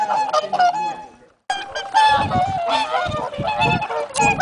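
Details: Swans give loud nasal honks in still, sunny late-autumn weather. A short burst of calls is followed by a moment of quiet, then a dense, overlapping run of trumpeting notes.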